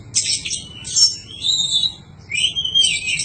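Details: Oriental magpie-robin song used for training cage birds: buzzy high bursts alternating with smooth whistled notes, three phrases separated by short pauses.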